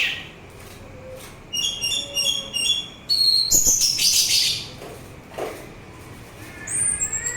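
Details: Orange-headed thrush song, played as therapy and to lure other birds: varied high whistled and buzzy phrases, some trilled and stacked, with shorter notes in between and a steady background hiss.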